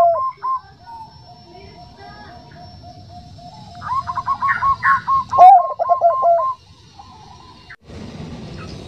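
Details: Zebra dove of the Bangkok type with a soft voice, a female said to call a male: after a quiet start with a few faint notes, a burst of quick, soft rolling coos lasts about two seconds, then a short rustle.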